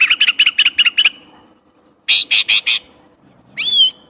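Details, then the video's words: Chinese blackbird singing: a quick burst of six harsh repeated notes, a pause, four loud rasping notes, then a clear whistled phrase sliding downward. "烏鶇(黑鶇)的叫聲/Sound of Chinese Blackbird"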